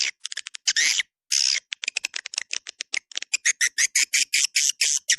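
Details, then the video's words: Buzzy, raspy swiftlet twittering in the 'Dua Bidadari' lure style meant to attract the birds, with clipped ticking notes around two longer hissing bursts, then a regular string of scratchy chirps. "SUARA PANGGIL WALET DUA BIDADARI RESPON TERBAIK DI AREA CENTRAL WALET"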